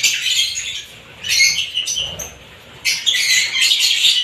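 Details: A mix of different lovebird kinds calling in shrill, scratchy bursts of high chirps, loud for about a second, then a near-quiet gap, then another burst of overlapping twittering.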